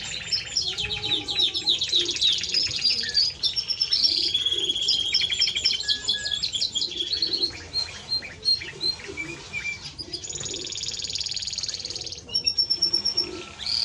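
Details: Timbrado Español canary in continuous song: fast metallic trills and clicking rolls that shift pitch, steady piping tones and bursts of rapid chattering notes, with a faint low hum behind.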